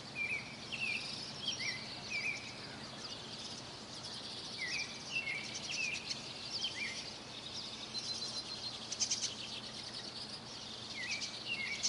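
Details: Morning mountain birdsong, repeated thin upslurred chirps appearing in small bursts, set against constant loud rushing white noise.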